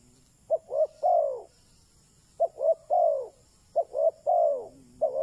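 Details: Decoy spotted dove luring wild birds with three evenly spaced cooing phrases, each two quick hoots then a long downslurred coo; a faint low hum appears near the end.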